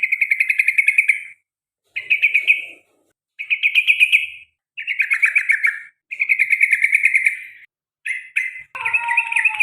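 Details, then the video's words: Kept sooty-headed bulbul delivering repeated 'ropel panjang' song: rapid, bright chattering trills in bursts of one to one and a half seconds, separated by brief gaps, ending in a more varied warbled phrase. "CUK CUK CUK TRUCUKAN ROPEL PANJANG DAN GARUDA BER ULANG - ULANG"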